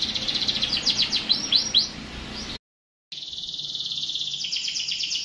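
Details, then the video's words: Canary singing with a run of quick high chirps and swooping notes, a brief gap of silence, then a sustained buzzy rolling trill. "٣٠ دقيقة تغريد مستمر ورائع مهما كان نوع الكناري خاصتك سيبدء بالتغريد"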